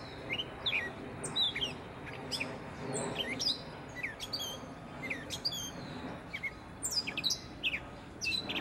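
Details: A Gray Catbird singing from a tree in Prospect Park, Brooklyn, gives a rambling string of varied squeaky, chattering and whistled notes, with only brief pauses, over a low background rumble.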